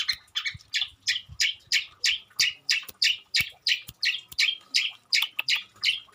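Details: Long-tailed shrike (cendet) in full song, mimicking other garden birds: evenly paced harsh, buzzy chirps, roughly three a second, each dropping slightly in pitch, over a faint hum and soft low thuds.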